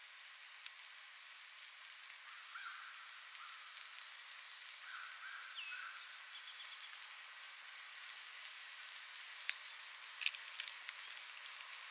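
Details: In Ontario, where the species is rare, a male Prairie Warbler advertises on his territory on a Sunday morning. One buzzy song of quick notes ascends over about a second and a half, set against a dense, rhythmic insect chorus.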